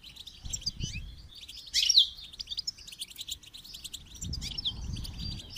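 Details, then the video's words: High twittering goldfinch song recorded for song training, steady rapid chirps with a loud sweeping burst near two seconds and soft low rumbling in places. "Motivational rewards for training goldfinch to song"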